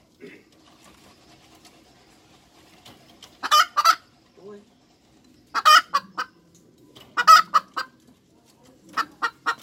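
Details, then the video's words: Hens giving a cackle: after a near-silent opening, rasping grouped squawks repeat about every two seconds, with faint low clucks between them. "Tiếng Gà Mái Chuẩn - Chicken Crows 100% , Hens Crowing"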